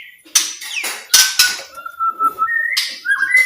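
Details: White-rumped shama singing, meant to prompt quiet shamas to sing: a long, steady whistled tone that steps up in pitch, broken by loud scratchy bursts and a falling whistled slide.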